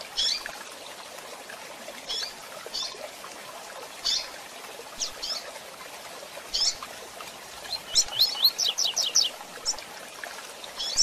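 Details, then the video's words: Rusty-collared seedeater with female chirps, for training: sparse short high chirps every second or two, then a rapid run of about eight sharp rising notes near the end, over steady hiss. "Tui Tui Zel Zel Com Piados de Fêmeas Para Manejo"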